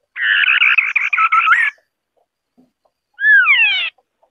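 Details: Rapid buzzy chatter from a white-browed scimitar babbler runs for over a second and ends in a rising whistle. After a pause comes a loud, descending, slurred double whistle.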